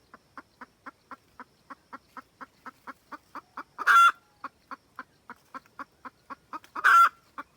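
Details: Red junglefowl hen cackling to call the rooster, used as a trapping lure: steady run of short clucks about three per second, broken twice by a loud, harsh, drawn-out squawk.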